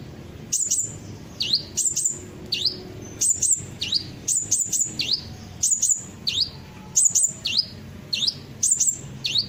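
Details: Kolibri ninja sunbird song meant to make birds sing along: a long series of piercing high chirps and swooping V-shaped whistles, delivered in quick pairs about once a second, background otherwise quiet.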